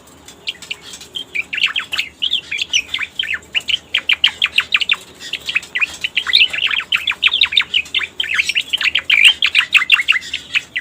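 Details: Striated grassbird used as a lure recording for trapping: a loud, fast run of sharp downslurred whistled notes, several per second, with brief buzzy chatter mixed in and no clear background sounds.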